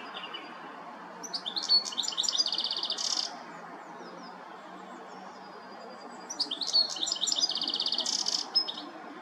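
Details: European goldfinch, filmed on a Nikon P1000, sings two separate phrases of bright twittering song, each mixing sharp liquid notes and a fast rattling trill, with a quiet pause between them over a constant low rumble.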